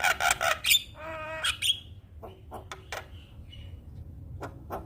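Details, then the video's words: Black-winged starling song used for training other birds, a varied mix of harsh broadband bursts, a buzzy harmonic note and scattered short clicks and chips at uneven intervals. "Masteran Jalak Kebo bahan Cepat Gacor - Kicauan Jalak Kebo Juara"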